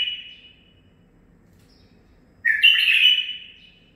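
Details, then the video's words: Male bulbul aged nine months, raised by its keeper, ending one phrase, falling silent for two seconds, then giving a bright, slightly buzzy warbled phrase that trails away. "من بلابلي الخاصه (الكابتن ) مخلف تخريجي العمر 9 أشهر اخذ لسانات زلزال"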